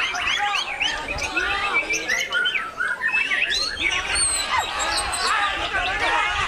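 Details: Bowing White-rumped shama delivering a busy, rapid stream of chirps, slurred whistles and squawky notes, backed by a steady murmur of voices and other birdsong.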